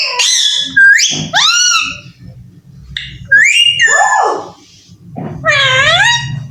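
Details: Baby Alexandrine parakeet that talks, saying "I love you", voicing loud, harmonic, speech-like phrases with swooping and descending pitch in several bursts, separated by murmuring low background noise.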